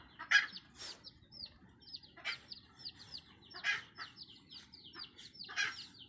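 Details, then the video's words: A red junglefowl mother hen calls to her young with loud, harsh, broadband clucks roughly every one and a half seconds, answered by a steady run of high, thin, falling chick cheeps. "TIẾNG GÀ MÁI MẸ RỪNG GỌI GÀ RỪNG CON suab poj qhaib qus nriav me nyuam"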